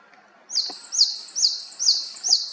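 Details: Japanese tit in Haenam giving a brisk series of about five high, ringing two-note phrases at an even, quick tempo.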